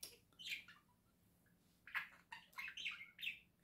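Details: Indoor pet budgerigar pair in November 2024, one hesitant to climb down while the other shows the way: scattered soft chirps, then a run of four sharper warbling notes, over a faint steady room hum.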